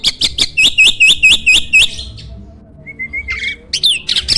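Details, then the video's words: Champion starling's song for training other songbirds: a string of about eight quick, identical chirping notes, then a quiet gap, a thin level whistle and a final burst of squeaky chatter. "MASTERAN BURUNG JALAK SANG JUARA!!"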